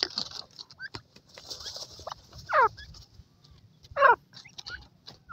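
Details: ['Female black francolin with her chicks: two loud, harsh, clipped bursts about one and a half seconds apart, among soft, thin, rising chick peeps and light background hiss.']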